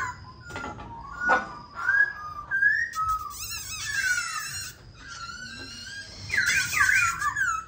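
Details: Silver-eared laughingthrush song used to rouse other birds to sing: varied clear whistled phrases, slurred upward and downward, with buzzy rattling passages and sharp clicks between them.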